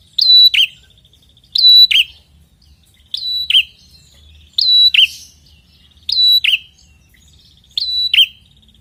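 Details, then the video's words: Prinia described as red-headed, a persistent singer used as a lure: six loud phrases, each a sharp high whistle then a dipping buzzy note, repeated roughly every one and a half seconds. "pikatan ampuh burung prenjak macet& bahan langsung nyautt dengan prenjak gacor ngotot ini"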